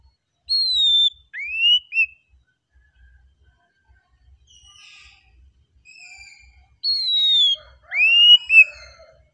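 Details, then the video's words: Oriental magpie-robin in relaxed song: clear whistles, a long falling note followed by rising upslurred phrases, a quiet gap with soft notes, then another falling whistle and rising slurred phrases. "KACER KICAUAN SANTAI NYA BIKIN HATI JADI TENANG"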